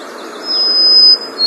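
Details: A White-throated Sparrow near feeders in the morning sings its whistled song of long, pure, drawn-out high notes ending on repeated same-pitch notes, the next note just beginning, over a soft background hiss.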